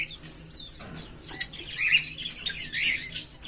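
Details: Green Fischer's lovebird pair singing and chirping: rapid, jumbled high squeaky chirps and short twittering notes tumbling over one another, with a few sharper peeps and no other clear sounds.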